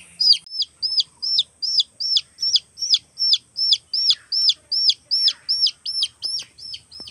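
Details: Young chickens calling for their mother hen: a steady series of piercing high peeps, each dropping sharply in pitch, about two to three per second, over a faint continuous high whine.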